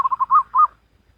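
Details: Wild zebra dove Salendro-rhythm phrase: three quick clipped coos followed by two longer, swelling rounded notes, mellow and whistle-like, ending in silence.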